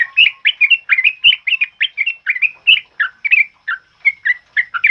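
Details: Sooty-headed bulbul, a kept songbird whose loud song serves as a master recording for training other birds, delivering rapid chattering, bubbly notes repeated steadily several times per second, with no other sounds.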